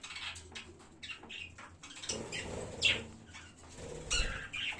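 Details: Pet budgerigars in a breeding colony on 1 January give a steady run of short chirps and clipped warbles from several birds, with a couple of louder squeaky notes standing out over a low room hum.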